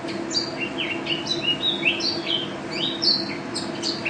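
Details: Mountain white-eye, a first-place national champion, in lively gacor song: a fast run of high, sweet whistled slurs and chirps, varied in pitch, nearly continuous over a faint low hum.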